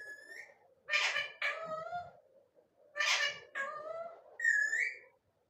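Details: Parrot talking non stop: loud, harsh harmonic voice-like syllables in short bursts with quiet gaps, some bending upward, ending with a bright rising squawk; a faint hum persists in the background.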